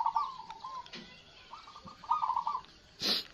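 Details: Kept zebra doves (perkutut) on a morning, all calling from one side. Several purring, trilled coo phrases overlap and follow one another, ending with a brief harsh rustling burst.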